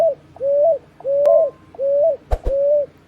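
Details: Young picui ground doves repeating drawn-out, gently rising whistled notes, four heard, with two sharp clicks and a knock breaking in near the end.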